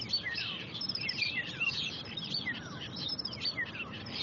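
A starling sings a busy, chattering song of slurred, falling whistles about once a second, copying a golden oriole, over faint background noise.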